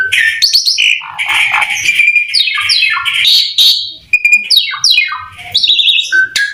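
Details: Lively Asian pied starling in rapid 'tembakan robot' song, meant to prompt other starlings to sing; dense harsh chatter gives way to repeated downward-sweeping buzzy notes and clear whistles, continuous and loud.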